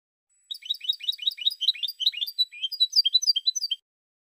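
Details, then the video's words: European goldfinch song, a sustained run of fast bright twitters, dense at first, then clearer spaced tinkling notes, over three seconds. "Cante De Jilguero 2016"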